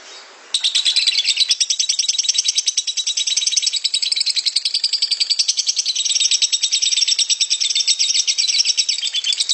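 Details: Lovebird in an extended ngekek trill, used to train other lovebirds: after a short quiet start, a dense, buzzy, very rapid rattle of high chirps runs continuously without a break.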